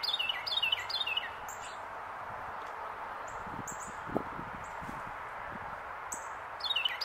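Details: Wild Carolina wren singing on a branch in Pennsylvania during January 2024; a few quick descending whistled phrases open and close the passage, separated by hissy background with scattered faint high chips and low knocks.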